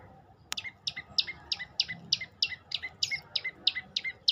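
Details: Olive-backed tailorbird repeating one high, sharp, down-slurred note about three times a second in a steady, even series after a single click.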